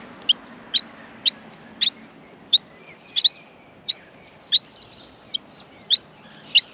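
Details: Feeding time for Australian miner nestlings, which keep up a run of sharp high cheeps, a few doubled, with a faint lower whistled note in the background.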